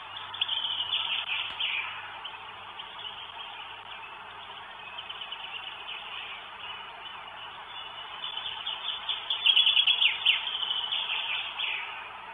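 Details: Northern goshawk with food in Estonia on 1 May 2022, giving rapid, harsh chattering notes, about three to four a second, swelling louder near the end over a steady background hiss.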